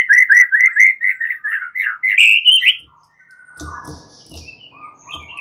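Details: Fighter white-rumped shamas, nearly all joining in to answer and becoming agitated, singing a fast run of rich, warbled mid-high phrases for three seconds, then softer scratchy notes and a faint whistle with background clatter.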